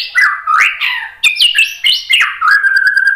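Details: White-rumped shama singing a bait song to draw answers from other birds: loud varied whistled phrases, rising and falling slurs with short pauses, ending in a level rapid trill.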